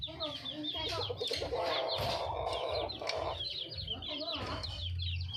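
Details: Wild red junglefowl hen calling out for a male partner: rapid, uneven low clucking and a raspy middle phrase, surrounded by constant high chirping and a low hum.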